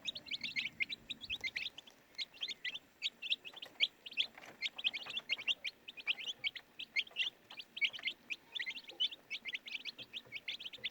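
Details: A group of baby chickens chirps constantly, each high, sharp peep short and bright, packed closely together in an unbroken chatter.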